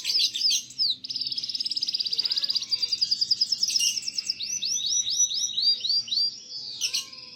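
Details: Canary song for tutoring young canaries: long fast trills of high repeated notes, a rolling rattle, then a row of looping upslurred whistles, with faint low background noise.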